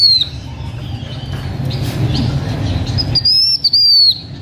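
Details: Blue-winged minla, owned by a H'Mông man, singing as a lure: a high slurred whistle opens, a quiet gap follows, then a longer sustained whistle with small dips closes the phrase; low droning noise underneath.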